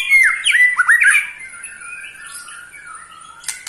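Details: Eight-month-old white-rumped shama giving a harsh rattling trill meant to provoke other shamas: a burst of rasping, dropping notes in the first second, then softer fading sounds.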